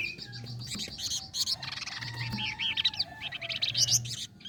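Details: Busy, jumbled high twittering and chattering from a flame-breasted flowerpecker, used to train contest songbirds, with dense overlapping trills throughout and a steady low hum underneath.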